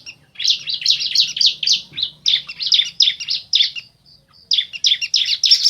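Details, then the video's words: Male and female bar-winged prinia answering each other, a fast run of harsh high chirps in rapid bursts, a brief pause near the middle, then more chirping, with a soft steady high tone in between. "Suara Asli Ciblek Jantan Betina Bersahutan"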